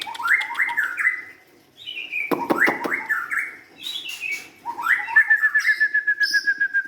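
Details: Song of a young White-rumped shama from the forest: looping whistled notes, a brief rough rattle, then a long train of evenly repeated short pips at a steady pitch.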